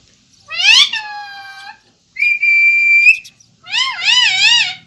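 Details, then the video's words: Ringneck parrot talking: three separate harmonic-rich whistled phrases. The first slides downward, the second holds a steady high tone, and the third wavers up and down. There are short silent gaps between phrases. "Ringneck parrot Talking"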